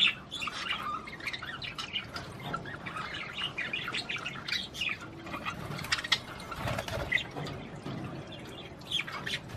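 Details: Budgerigar song aimed at stimulating a female to mate, heard as continuous soft chattering, warbles and squeaks, with a low knock partway through.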